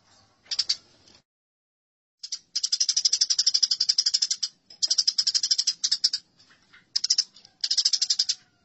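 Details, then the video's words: After a short opening chirp and a pause of over a second, fighting house sparrows give long runs of rapid, buzzy chatter, broken into several bursts. "Masteran Gereja Tarung"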